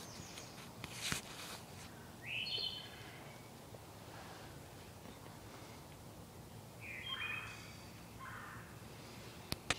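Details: Wood thrush song in a sacred grove: two separated fluty, ringing phrases of rapid stacked notes about four seconds apart, with scattered sharp clicks and low background hum between them.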